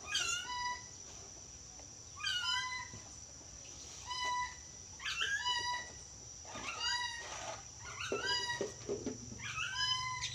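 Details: A yellow-crested cockatoo, a bird that can imitate speech, gives a series of loud, tonal, nasal calls and word-like phrases, about every one to two seconds, over a constant high-pitched electrical whine and low background rumble.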